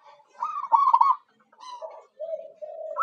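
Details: Zebra dove (local perkutut) used as a lure, one quick burst of hooked rolling coos, then softer lower coos after a pause.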